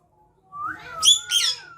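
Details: Pet parrot kept at home and said to talk in Bengali: a rising tonal whistle slides upward, then two loud, harsh, buzzy squawks follow in quick succession, with a soft fading whistle trailing after.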